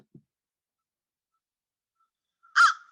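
A crow gives one harsh, hoarse caw after a long quiet stretch, and a second caw begins just as the recording ends.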